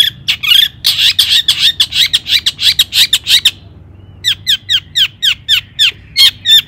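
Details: Long-tailed shrike song for provoking rival shrikes: a fast, harsh chatter of rough notes for over three seconds, a short gap, then a quick series of sharp, down-swept notes.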